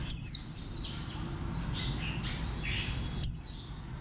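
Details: Warbling white-eye calling with two quick, piercing, falling chirps separated by about three seconds of high droning background noise.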